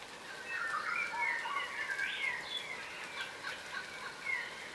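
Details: A ground-feeding group of yellow rosellas, a subspecies of crimson rosella. Busy, overlapping chattering and short whistled notes come in quick succession with no pause.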